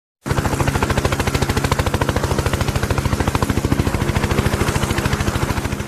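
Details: A loud, fast, machine-like rattle of evenly spaced pulses runs throughout, with no animal voice heard.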